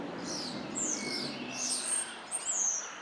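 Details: Common starling sings high, thin, slurred whistles, some rising and some falling, in quick succession over a soft background hiss; recorded 26 April 2024 at Prule, Ljubljana.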